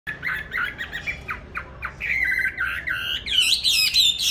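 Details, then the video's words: A caged songbird, bought on 19 May 2020 and kept on steady feed, sings in any place and at any hour: rapid, harsh chattering notes about four per second, then a louder, richer run of whistled and warbled phrases. "Chăm chim đều tay ,cám ổn định hót mọi địa hình ,mọi giờ giấc"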